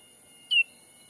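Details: One short whistled call from a black-capped bulbul lure recording, used to attract wild birds in a Sumatran forest. It is clear and slightly falling in pitch, with a faint steady tone and hiss behind it.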